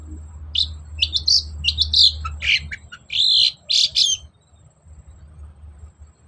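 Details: Energetic long-tailed shrike song played to spur a reluctant bird: quick scratchy high chirps followed by a few longer harsh buzzy notes, then quiet with low hum.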